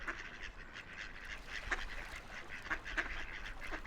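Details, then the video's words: Several ducks floating and splashing on a quiet river give short, nasal quacks in a loose, overlapping chatter over the low, steady rumble of flowing water. "Ducks Quacking by the River"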